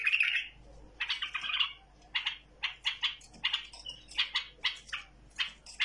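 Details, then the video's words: A tamed bulbul opens with a warbled note, then repeats clipped, bright chirps roughly every third of a second in a steady stream. "بلبل مطوعه بدون اي غلط"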